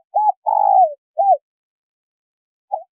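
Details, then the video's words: Male and female spotted dove calling: a brief coo, a long buzzy falling note, then an arched coo, followed after a pause by the start of another phrase; low-pitched, nothing else audible. "Tiếng chim cu gáy trống mái"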